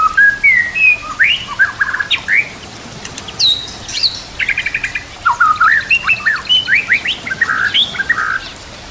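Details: White-rumped shama song, varied and loud: rising whistles, buzzy clusters and quick chirp sequences in bursts, with faint running water behind.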